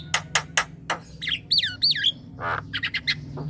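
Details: Javan myna calls meant to prompt young birds to call back: a few harsh clicking squawks, then two looping whistled notes swinging up and down, followed by a rough buzz and quick chattering notes.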